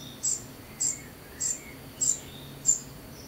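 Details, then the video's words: Young common cuckoo being fed: five thin, very high, sharp begging notes, each brief, spaced about every half second, with faint lower chirps between them and a low steady hum beneath. "Imbeccata Al Giovane Cuculo"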